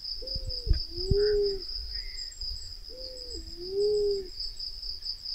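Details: A Black-naped fruit dove (Ptilinopus melanospilus), in a recording used as a hunting lure call, gives two low, drawn-out coos about three seconds apart, each a short note swelling into a long hoot, over a steady high whine and soft thumps.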